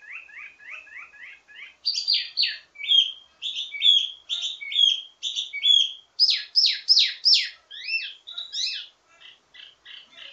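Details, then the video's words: Wambi mini performing ledekan, a teasing song full of variations meant to tutor birds of the same kind: rapid repeated chips, then bursts of sharp buzzy notes and whistles in a fast, varied sequence. "Ledekan Wambi mini Full Gacor Banyak Vareasi"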